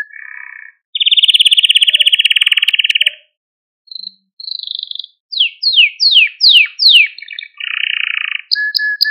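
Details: Malta canary singing in a recording for rousing canaries: a low buzzy phrase, a long rapid mechanical roll, a pause, then a series of steep descending slurs and a final burry trill.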